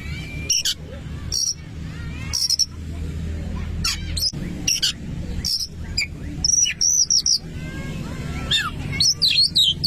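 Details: Oriental magpie-robin song, played to provoke another magpie-robin into singing: bursts of sharp, high whistles and chirps, some rising or sliding, interrupted by brief pauses, over a low rumbling background with faint voices.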